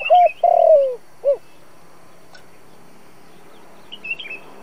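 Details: Lure spotted dove for trapping wild doves, giving one coo phrase: a level hoot, a long burry falling note and a short arched note, followed by quiet and faint distant chirps.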